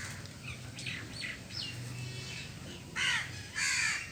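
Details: Eating cooked food and grains, a crow gives two loud, grating caws in quick succession at the close, following softer chirps from other birds.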